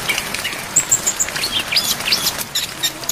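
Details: Brown-chested jungle flycatcher training song packed with fill-in phrases over rain: short high chirps and thin whistled notes scattered quickly, some sliding, with a steady hiss of rainfall beneath.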